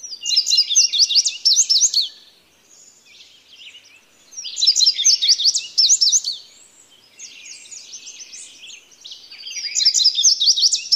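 An indigo bunting sings bright, high, sweet phrases of paired notes, each lasting about two seconds, with softer fragments between. No other sounds are clear.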